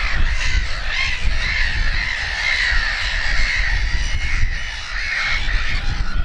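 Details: Black-headed gulls with chicks at RSPB Snettisham, Norfolk, on 29 May 2018 give a continuous din of scratchy, slightly wavering cries, some drawn-out and whiny, backed by gusty wind.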